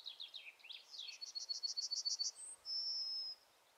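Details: Yellowhammer singing on heathland near Uddel, Netherlands, in May 2013: a quick run of about eight dry, high repeated notes, then a long, thin, drawn-out whistle.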